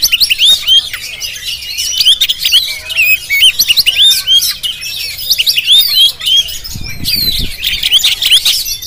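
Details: Indonesian Jampang Oriental magpie-robin singing loudly in a fast stream of sharp, upward-flicking whistles and chirps, with a short low rumble of handling noise near the end.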